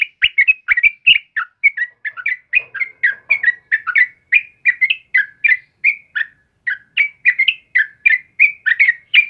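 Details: Lively sooty-headed bulbul delivering energetic morning song, a steady stream of rapid gurgling whistles repeated about three per second, with faint low knocks underneath.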